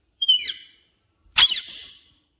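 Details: Pet parrot, said to speak the words 'mummy papa', gives two brief shrill, high-pitched screeches about a second apart, each starting sharply and trailing off, in a quiet indoor room.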